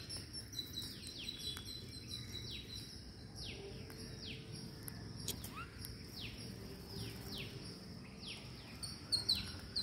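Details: Feeding green parakeets keep up a stream of thin, high, downward-sliding screeches, several birds overlapping, over a low background hiss.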